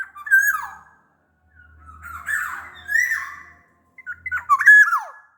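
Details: Large-bodied black-naped oriole from Sumbawa: three separate fluted whistles, each rising then dropping, the last ending in a steep downward slur, with a faint low hum beneath.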